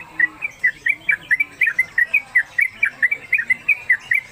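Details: Trucuk (Yellow-vented Bulbul) kept in a cage and hung at home, singing its fast 'ropelan' style: clean, bright, slurred chirps repeated roughly four times a second in a steady, bubbly stream with little background noise.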